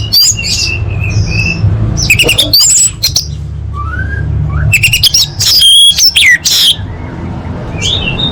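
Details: Orange-headed thrush singing, recorded as a lure for caged birds: scattered clear whistled slurs mixed with harsh, scratchy chattering bursts, some notes very high, over a constant low rumble.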